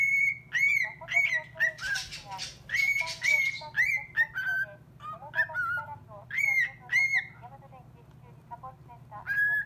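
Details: Pet cockatiel showing off its voice to a call-centre operator's recorded message: a run of bright whistled notes, rising and falling, mixed with a short rough squawk, steady low hum behind.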